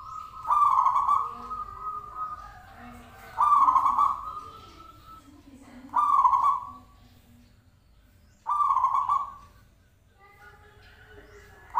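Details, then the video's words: Zebra dove call used as a sound lure to draw an answer from other birds: trilled, buzzy coos held at a steady pitch for about a second, repeated roughly every two and a half seconds, with softer lower cooing notes between. "Pancingan Perkutut Klik Langsung Nyaut"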